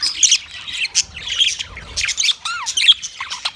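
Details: Mating call of a yellow male budgie: chattering chirps and squeaks, including a clear downward-slurred whistle and a rising-falling note in the second half, over soft background rumble.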